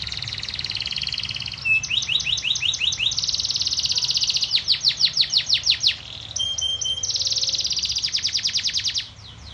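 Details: Canary kept for breeding, singing a long varied song of rapid high trills, whistled slurred notes and rolling repeated pulses, with short pauses between phrases and a faint low hum behind.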